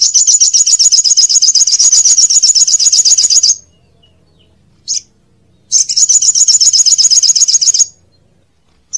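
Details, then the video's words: Olive-backed sunbird song used as a lure for young birds, two long, fast, even trills of high sharp notes, each lasting a few seconds, with single high chips between them. "MASTERAN SOGOK ONTONG UNTUK PANCINGAN SOGOK ONTONG BAHAN"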